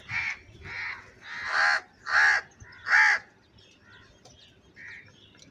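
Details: Crow calling very loudly, described as angry: a rapid series of harsh, grating caws, about five in a row rising in loudness, then fading to softer distant caws.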